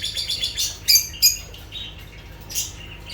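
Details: Lovebirds giving rapid high chirps, a quick run of short squeaky notes followed by two louder sharp peeps and a fainter chirp near the end.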